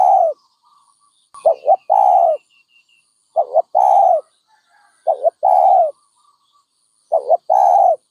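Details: Low, mellow coos from a dove: a paired short note then a long one, repeated about five times at a steady pace, with faint high chirps in the background.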